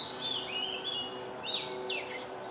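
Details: Singing Oriental magpie-robin in Singapore, each bird with its own unique tune: flowing whistled phrases, rising and falling slurs ending in a sharp downward sweep, with a continuous shrill insect buzz in the background.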